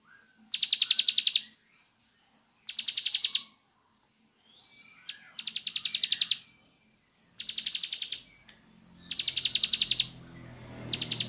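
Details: {'caption': "Bar-winged prinia, 'nembak' song style: roughly one-second bursts of very fast, high, rattling repeated notes, coming about every two seconds in otherwise quiet surroundings, with a low rumble near the end."}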